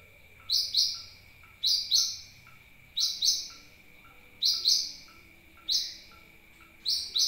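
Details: Sunbird lure call for drawing in birds: bright high double chirps, the second note of each pair louder, spaced a little over a second apart, with a low steady hum behind.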